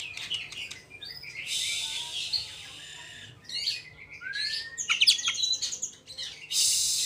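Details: Oriental magpie-robin, a fast rolling type used to provoke rival magpie-robins into singing: rapid varied whistles, sharp chirps and dense buzzy bursts, with a long rising whistle near the middle and harsh noisy passages.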